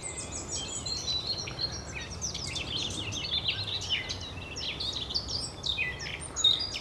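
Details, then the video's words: A Eurasian blackcap sings at the Oostplas, Goirle, Netherlands, on 24 April 2012: a fast, rambling warble of high, varied chirps and fluty notes, unbroken for several seconds, over a faint low background hum. "De zang van de Zwartkop"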